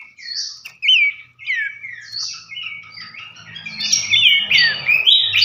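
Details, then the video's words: Babbler song used as a lure to prompt other babblers into singing: clear whistled notes that rise then slur downward, several voices overlapping, growing busier and louder toward the end with a faint low hum beneath. "pancingan Dasyat sekali dengar pelanduk semak manapun gacor seketika"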